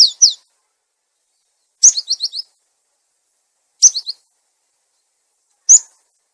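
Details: Cinereous tit lure sound for luring and training silent tits: sparse phrases of one sharp high note followed by two to four quick downslurred chirps, roughly every two seconds, with clean silence between.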